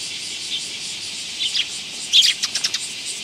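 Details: Sparrows coming to a feeding spot on a raised perch platform at a Tenmangu shrine, 15 August 2022; several short, high chirps cluster in a quick burst midway through, over a constant high-pitched background hiss.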